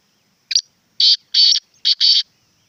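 A black francolin gives its harsh, grating call: a quick clipped double note, then four rasping, buzzy notes in a rhythmic phrase, with nothing else heard.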